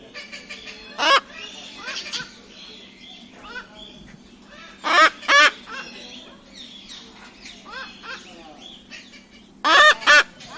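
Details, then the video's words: Cockatoo giving loud, harsh, raspy screeches in short bursts: one near the start, then two close pairs about four to five seconds apart, with softer scratchy chatter and faint background calls filling the gaps. "Cockatoo Sound (parrot species) | Cockatoo singing Sounds"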